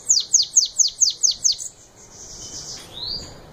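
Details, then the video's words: Sibite (bananaquit) delivering its 'belga' song: seven crisp, high notes, each dropping steeply in pitch, evenly spaced over about one and a half seconds. Then quiet, with a faint rising whistle. "Sibite batendo belga original"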